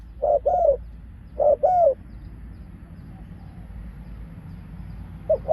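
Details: A decoy spotted dove used to lure wild doves gives two quick pak khruen phrases of short coo then falling coo, then a pause in quiet background before a final note.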